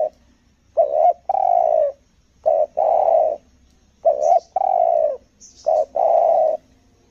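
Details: Spotted dove decoy from Lombok, Indonesia, singing the 'selang nguku gagap' style used for luring wild doves. Four phrases, each a clipped stammered coo leading into a long mellow coo, delivered in steady succession.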